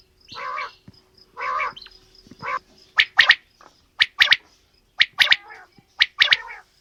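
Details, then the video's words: Female and male quail calling: several rough, nasal, drawn-out notes, then a run of sharp, paired clipped calls about once a second. "Female Batair Calling | Male Batair Sounds | Mix Calling| Batair Ki Awaz | Batair Ki lambi Awazay|"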